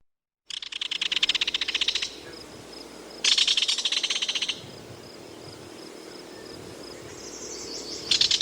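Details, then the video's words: A Belted Kingfisher gives loud, dry, harsh rattles, each about one and a half seconds of rapid clicks, repeated twice, with a third starting at the end. "Belted Kingfisher Bird Call"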